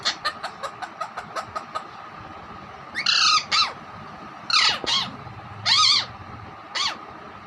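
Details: Pet parrot imitating a hen and whistling: a run of evenly spaced short clucks, then several loud, harsh squawks with falling whistled tails, spaced roughly a second apart, over a faint constant hum.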